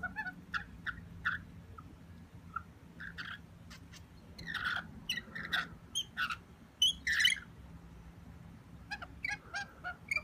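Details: Wild rainbow lorikeets at a window, asking for food after ignoring an offering on the windowsill; bursts of short, sharp chirps and squeaky notes, scattered then clustered in quick chattering runs, with faint low background hum.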